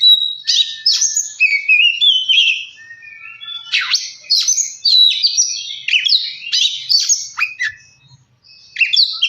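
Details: Oriental magpie-robin lure song meant to spur kacer into steady singing: crisp whistled notes, sharp downward chips and warbled runs in quick bursts, with brief pauses between phrases.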